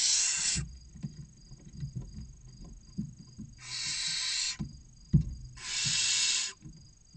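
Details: Nestling barn owls crowding the nest box entrance in Cabañeros National Park, waiting for food, give three broad hissing screeches amid frequent knocks and scratches from the young birds moving about.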